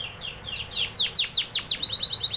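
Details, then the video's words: Canary song: loud descending whistled sweeps repeated about three times a second, then a quick series of short high chips at the close. "canary singing"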